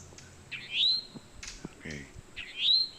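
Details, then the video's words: Mating call of a towhee: two rising slurred whistled notes about two seconds apart, with a person talking softly and faint clicks between them. "Towhee mating call meeting and other birds join in"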